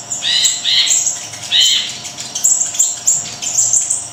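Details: Energetic small siri-siri pours out a fast string of shrill chirps. Buzzy, warbled phrases come first, then thin, very high whistled notes in quick succession.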